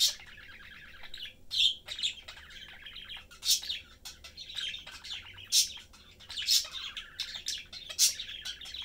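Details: Three pet budgerigars, mother, father and young, chattering while eating, producing a long stream of buzzy warbles and clicks punctuated by sharp high squeaks roughly every second.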